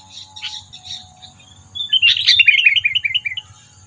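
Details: Sooty-headed bulbul lure call used in bird trapping to provoke predators: soft chirps, then a bright run of quick, stepped chirping notes descending slightly, with a steady high whine and low rumble behind.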